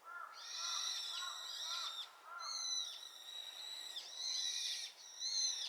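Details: Loud Brown-eared bulbul responding to the chorus of its flock, giving a near-continuous run of shrill, grating, slightly downslurred screeches in rapid phrases, with fainter lower chattering notes underneath.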